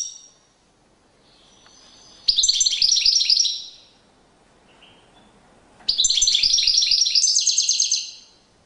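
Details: European goldfinch singing during courtship display: two loud bursts of quick, tinkling, buzzy twitters after a soft thin opening note, with near silence between them.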